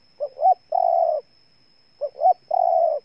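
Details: Spotted dove, Ninh Thuận, Vietnam, repeats its phrase twice about two seconds apart. A short rising double note leads into a sustained soft coo, with a steady thin high tone in the background.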